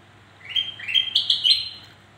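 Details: Black-crested bulbul singing, a recording meant to coax sluggish birds into song: a brisk run of clear, slightly slurred whistles rising note by note, lasting about a second and a half, with a steady low background drone.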